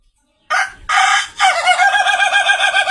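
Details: Laughing crow of a rare Indonesian Ayam Ketawa chicken: two short harsh opening bursts, then a long, loud, rapidly wavering trill that sounds like drawn-out laughter, ringing and nasal.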